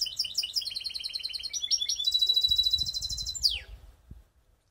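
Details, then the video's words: Canary hybrid singing in Skopje: loud fast rolling trills of repeated high notes, a sustained even rattling phrase, then a sharp downward sweep and sudden silence, with faint low thuds underneath. "Canary mixed best song"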